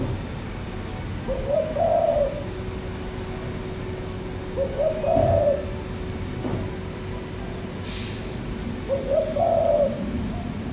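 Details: An Asian koel, a black bird perched on front-yard plants, gives three loud rising two-part whistled calls, each about a second long and spaced roughly every three to four seconds, over a steady low background hum and rumble.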